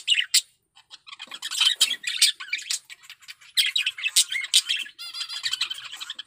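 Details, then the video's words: Male budgerigar in breeding condition singing a continuous, fast chattering warble of scratchy squawks, clicks and trilled notes without pause, with a short rippling trill near the end. "Suara Burung Parkit Jantan || BIRAHI PARAH"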